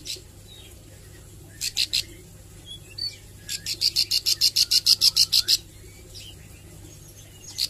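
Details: Plain Prinia learning song, called ciblek sawah, practising 'nembak': a few loud high ticks, then a fast, regular burst of about fifteen sharp, high clicking notes, with quiet gaps around them.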